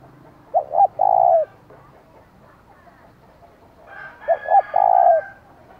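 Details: A decoy spotted dove calls to lure and provoke wild rivals, in the giọng thổ style. Two phrases come a few seconds apart, each a quick double coo and then a long, even coo. A rooster crows over the second phrase.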